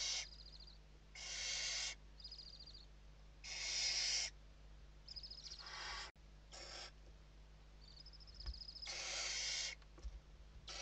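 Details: Western barn owl nest interior in Spain, evening feeding on 29 November 2023: separate long rasping hisses spaced by quieter gaps holding thin whistled chittering notes, several birds calling in turn.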